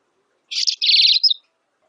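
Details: Black siskin delivering one brief, dense phrase: a buzzy chatter followed by a fast rattling trill and a closing high note, under a second long.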